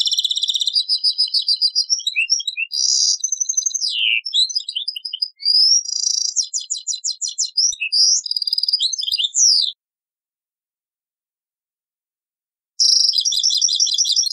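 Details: From an old cassette recording, a European goldfinch sings a fast, high, tinkling twitter mixed with buzzy trills and liquid notes, breaking off into a few seconds of silence before starting again.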